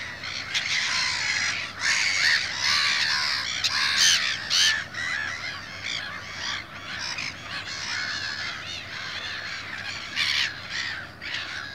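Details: European goldfinch (Carduelis carduelis), song.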